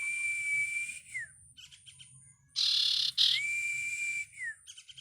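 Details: Bar-winged prinia chick giving two long, thin, steady whistles, each ending in a short downward slur. A harsh, hissing burst and scattered buzzy ticks come between and around them.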